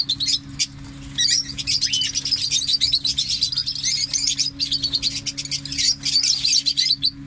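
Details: Busy parrot chatter: overlapping high chirps, squeaks and short upward-swept whistles run almost without a break, with a low hum in the background.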